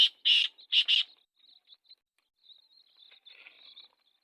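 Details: Black francolin in Sindh, Pakistan: a short run of loud, harsh, grating notes in quick pairs opens the recording, then fades into faint, scattered chirps. No other clear sounds.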